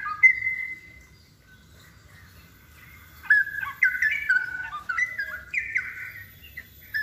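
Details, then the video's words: Straw-headed bulbul opening with a long clear whistle, a pause of near silence, then a loud burst of liquid, bubbling whistled notes jumping up and down in pitch in rapid gacor style. "suara cucakrowo gacor"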